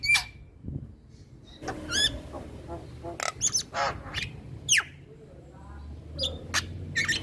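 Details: Male Javan myna song of scattered harsh clicks, squeaks and a sliding whistle, with gaps between phrases and a low hum throughout.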